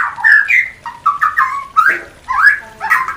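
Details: Mating call of a white-rumped shama for new pairs: a string of mellow whistled phrases, some gliding up or down, each followed by a short pause.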